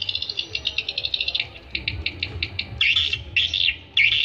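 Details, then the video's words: Swiftlets calling in a recording used to attract them. Rapid, regular high clicking chirps slow into spaced ticks, then give way to three longer buzzy, rasping bursts, over a soft low rumble. "ÂM THANH DỤ CHIM YẾN"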